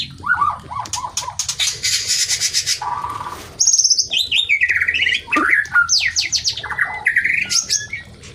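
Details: Mating white-rumped shama, a sound used to trigger breeding readiness in other shamas; falling whistled notes, a buzzy trill, then fast swooping varied phrases.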